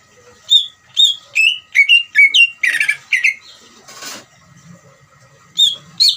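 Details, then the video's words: Greater green leafbird giving ngeriwik, a song played to make other leafbirds emotional and singing: a string of descending whistles turning buzzy midway, a short noisy rustle, then two final high notes. "CUCAK IJO NGERIWIK COCOK UNTUK MANCING CUCAK IJO BAHAN BIAR EMOSI DAN RAJIN BUNYI"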